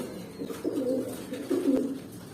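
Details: Pigeons eight to nine months old, young adults of pairing age, give two low, bubbling coo phrases, the second louder and fuller, in a quiet enclosed space.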